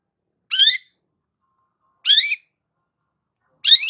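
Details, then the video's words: Long-tailed shrike (cendet) in full song, used to stir stressed shrikes into singing: three short, harmonic-rich rising notes spaced about a second and a half apart, bright and high, on a silent background. "BURUNG CENDET GACOR PALING AMPUH UNTUK PANCINGAN CENDET STRES"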